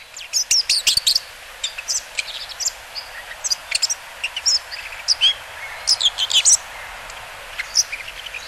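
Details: Bull-headed shrike heard along the Mukogawa river in Japan in mid-September 2015, giving repeated sharp, high chips and brief scratchy bursts in irregular clusters over constant background noise.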